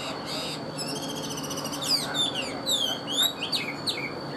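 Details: Pet Chinese hwamei kept as a cage songbird, singing clear high whistled notes that sweep up and down in quick succession, growing louder midway, over a steady faint background hum.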